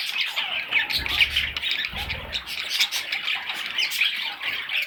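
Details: Several young budgerigars chatter continuously in shrill, scratchy squeaks, while two short low rumbles of handling sound come through early on.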